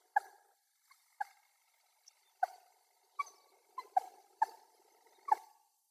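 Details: Wild common moorhen calling with abrupt, hard kurr-like clucks, spaced at first and then coming faster toward the end, against near silence.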